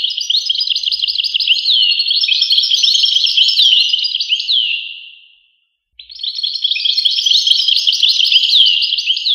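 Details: European goldfinch delivering two bursts of bright, jangling twitter made of rapid chirps and downslurred notes, separated by a brief silent pause.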